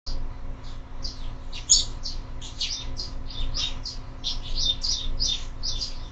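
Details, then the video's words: Sparrows at a window-mounted feeder in the morning, part of year-round bird feeding, give a steady stream of short chirps, many overlapping notes in quick succession with a low hum beneath. "Воробьи в кормушке - утро"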